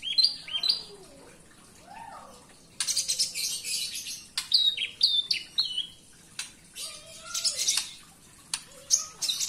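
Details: Very vocal Javan bush lark indoors, mixing soft lower whistles with rapid high, scratchy chirps and clicks in a varied, restless stream.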